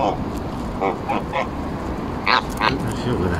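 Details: Embden geese at Longton Park, Stoke on Trent, on 18 July 2022, while being petted and fed; a series of short, harsh, nasal honks in quick irregular bursts, the last two louder, over a murmur of background noise.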